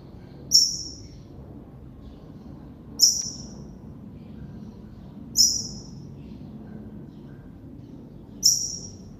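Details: Double-collared seedeater giving sharp, high, downslurred single notes, four in about nine seconds at uneven gaps, over a quiet low background hum.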